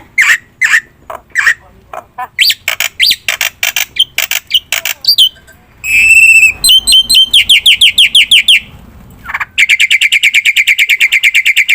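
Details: Black-winged myna singing hard, used as a lure to prompt all birds to sing: harsh squawks and scratchy chatter, a buzzy note, then a long run of fast repeated whistled upslurs, about three per second.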